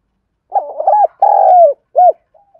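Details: One complete urging coo from a decoy spotted dove calling wild birds: rapid broken low notes, a sustained coo gently falling in pitch, a short terminal coo, and a faint trailing note.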